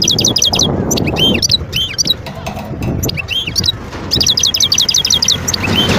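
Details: European goldfinch in the wild at Skikda, Algeria, 2022: twittering song phrases with repeated downward-curving chirps between clusters of rapid high notes, over constant low rumbling noise.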